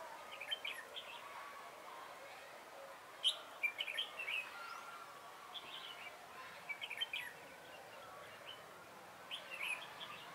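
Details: Red-whiskered bulbul singing as a decoy to lure birds into a trap, 3 November 2017: clusters of lively, bubbling chirps repeated every few seconds against a soft outdoor background.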